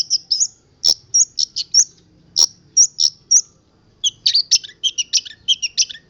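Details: Long-tailed shrike of local Boja stock, its song packed with imitated odd sounds: short high whistled chirps in uneven runs, later dense buzzy doubled notes, broken by sharp clicks.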